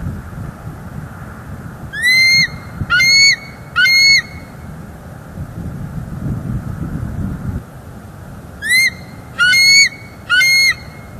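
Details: Bald eagles, a wild pair at a Northeast Florida nest, heard on a live cam on December 18, 2023 while the male keeps watch nearby. Three sharp, high, rising-then-falling piping notes, a silence of several seconds, then three more, with low background rumble.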